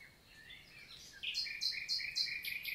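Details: Common nightingale singing by day in summer forest, Célé valley, Lot, France, June 2023; quiet slurred whistles build into a loud series of sharp repeated chirps, about four per second.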